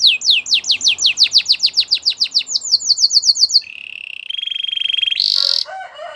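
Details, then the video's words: Canary song for training: a long run of downslurred whistles at a steady pace, then flat buzzy trills, a sudden harsh burst, and soft low chatter. "The best canary singing video ever | Belgian canary training"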